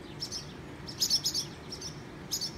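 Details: Barn swallows near a nest on a garage security light, diving at people below and recorded on a phone; quick high chirps and twitters in short bursts, with a low constant background rumble.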